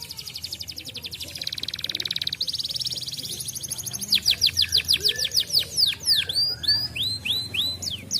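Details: Canary song used to prompt other canaries to sing: rapid buzzy trills at high pitch, then a run of loud descending whistled sweeps repeated about three per second, with upturned notes near the end.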